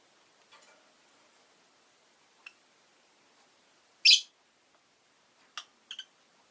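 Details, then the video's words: One sudden, loud, shrill chirp from a pet rosy-faced lovebird, part of a newly added pair, stands out amid faint ticks and two short softer chirps near the end. "Lovebird Chirping Sounds"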